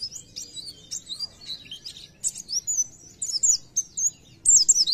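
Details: Oriental white-eye singing 'gacor nembak': repeated short phrases of high, squeaky twitters and looping whistles, each burst about half a second long, separated by brief pauses.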